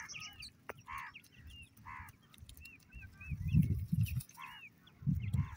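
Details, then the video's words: Partridge chicks calling their mother with scattered thin high peeps and short harsher falling notes, with bursts of low thumping noise in the background. "pritridge bird chicks calling his mother"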